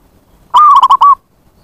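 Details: Zebra dove lure call for attracting wild zebra doves: a sustained coo breaks into quick clipped notes and ends on a longer coo, all in one phrase. Light background noise.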